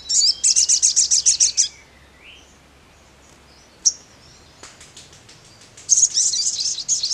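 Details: Sogon song used to draw answering calls from other Sogon birds. It opens with a quick rattling series of high sharp notes, goes quiet with a lone squeak and a faint click, then resumes with loud, busy, high chirping.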